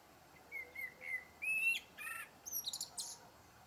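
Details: Blackbird singing mellow fluted notes that step slightly upward, followed by a burst of thin, high twittering.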